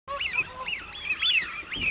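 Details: Common cranes, many birds together, giving loud overlapping trumpeting calls. Each call arches up and down in pitch, and several calls run back to back with no pauses across the whole stretch.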